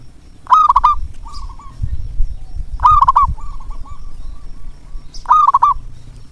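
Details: Zebra dove calling to draw song from lazy doves: three loud, throaty, rolling coos about every two and a half seconds, each trailed by a softer coo, with low rumbling noise.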